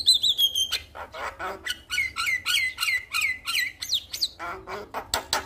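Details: Male Javan myna calling toward a female with harsh squawks and scratchy chatter, mixed with whistled downslurred notes and slurred rising phrases, delivered in rapid, uneven bursts.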